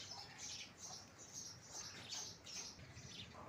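House sparrows give harsh, rapid chirps, roughly two to three a second, bright and overlapping as if several birds call at once.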